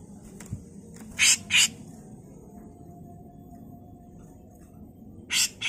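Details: Grey-cheeked bulbul in a training recording for songbirds, giving rough, harsh 'mbeset kasar' calls. Two loud rasping bursts come close together, then a pause with faint low background hum, and a third harsh burst near the end.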